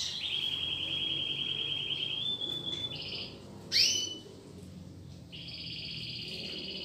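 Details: Caged domestic canary in song training, singing along to played recordings: a long even high trill held for two seconds, then a brief bright upslurred note and further level rolling trills.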